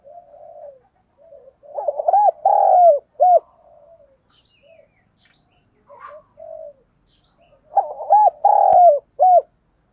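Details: Caged decoy spotted dove used with a net trap to lure wild doves, in the 'giọng thổ' voice style, giving phrases of deep rounded coos, two bursts of rapid stuttering notes ending in longer coos, with quieter cooing between.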